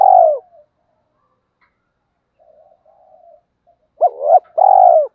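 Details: Spotted dove calling to attract other doves: the tail of a burry coo, a pause with faint murmuring notes, then a sharp hoot and a long throbbing coo, mellow and low.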